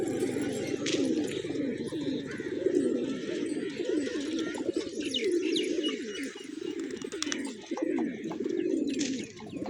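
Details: Hungry pigeons eating grain in a village at morning, cooing together in a steady low murmur of wavering, throaty notes, with scattered faint clicks and chirps higher up.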